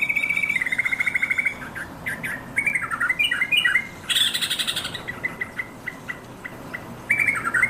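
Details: Yellow-vented bulbul calling to companions. The sequence opens with a quick rattling trill, then irregular chattering phrases with a louder, harsher scratchy burst midway and a rising stuttered flourish at the close.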